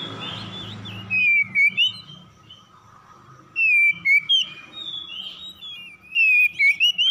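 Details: Morning call-and-answer between oriental magpie-robins using harsh lure song: three separate bursts of loud, clipped whistled notes, each about two seconds apart, with a low hum before the first burst.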